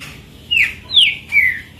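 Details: Owned green-winged saltator delivering a run of rich whistled notes, each falling in pitch, about three phrases in under two seconds, with the next phrase starting at the end; background otherwise quiet.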